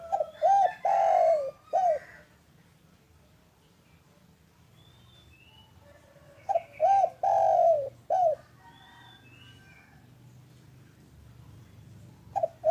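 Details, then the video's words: Spotted dove of the local type, afternoon calling meant as a lure to set other doves calling. Three cooing phrases about six seconds apart: short hooked coos around a drawn-out coo. Faint distant chirps fill the gaps. "Suara indah burung derkuku lokal gacor untuk pancingan cepat bunyi"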